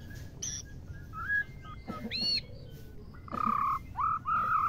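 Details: Female white-rumped shama calling to stir males to mate and sing: clear pure whistles, some high and short, others level and drawn out near the middle register, with a final run of bright sustained notes over a low rumbling background.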